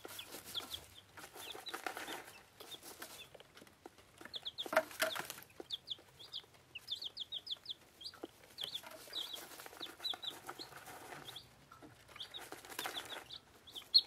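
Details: One-week-old bantam chicks of Plymouth Rock and Rhode Island Red breeds at their food, giving bright repeated peeps in rapid runs, interrupted by bursts of rustling, scratching and pecking noise.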